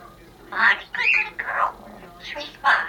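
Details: Female Congo African grey parrot wishing a Happy New Year, giving a few rough, speech-like syllables mixed with short squawky notes, each about a quarter second long.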